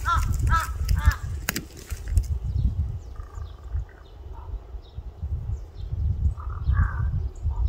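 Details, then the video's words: Crow giving a quick run of hoarse, rasping caws at the start, then a few fainter, more distant calls, with continuous low rumbling noise throughout. "까마귀울음소리 Crow crying"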